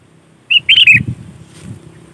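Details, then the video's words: Sooty-headed bulbul singing, meant as lure sound for catching bulbuls: a brief bright phrase of three liquid whistled notes, the middle ones fluttering, followed by soft low thumps. "Suara Burung Kutilang Gacor ASLI Tanpa isian"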